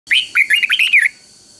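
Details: Caged Red-whiskered bulbul singing a common three-syllable doubled song, used to train young birds for counting-phrase contests. One bright phrase of about six quick warbled notes, rising and falling around the middle pitch, lasting about a second.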